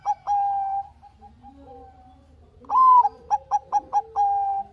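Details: Bangkok-type zebra dove in full song, used as a lure recording: two notes and a long held note, a quiet gap, then a rising note followed by quick staccato coos ending in a sustained tone.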